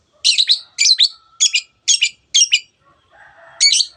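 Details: Long-tailed shrike singing 'teot teot' as a lure to make other birds excited and vocal: five harsh double notes at steady half-second intervals, a short lull with faint low twittering, then one more burst.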